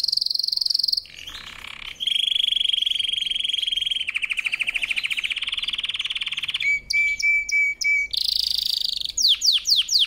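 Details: Powerful canary training song made of sustained rapid trills at shifting pitches, a pulsing mid-pitched roll, a sharp whistled flat phrase, then quick descending sweeps at the end.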